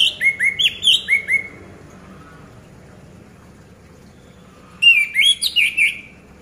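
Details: Orange-headed thrush, a cage bird, sung to prompt silent birds to sing: clear looping whistled notes repeated quickly, a burst of six or so, long quiet gap, then another similar burst.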